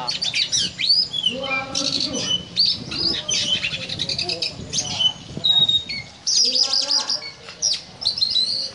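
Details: ['Oriental magpie-robin (kacer) singing in the cobra-like ngobra style: rapid bursts of high chirps and whistles in clustered phrases, with pauses, over lower voices or calls.']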